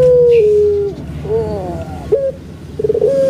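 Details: Kept puter pelung Barbary dove from Indonesia giving its big-voiced song: a long level coo that sags at the end, a wavering middle phrase, a brief stutter, then a rising held note.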